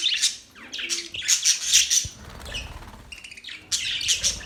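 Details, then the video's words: Budgies give scratchy high chirps and short warbled phrases, with a few clear whistled notes, then a lull with a soft thump before the chattering resumes. "Budgies bird chirping sound"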